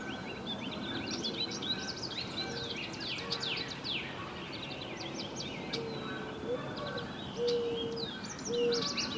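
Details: American robin (Turdus migratorius), begging calls: nestlings begging for food.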